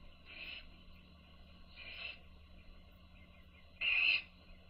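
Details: Young owls fed by their mother: three brief harsh hissing begging bursts spaced over several seconds, the last loudest and clearest, against a faint constant background hum.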